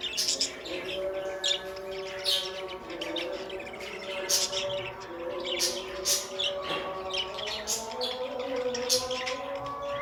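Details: Several pet budgerigars chatter with scratchy, high-pitched chirps repeated irregularly every second or so, while a melodic music track plays steadily beneath.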